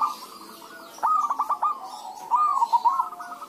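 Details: Zebra doves (perkutut) answering one another, played as a lure to set other doves singing; a faint trill is followed by a loud phrase of clipped stuttering notes, then a smooth wavering coo.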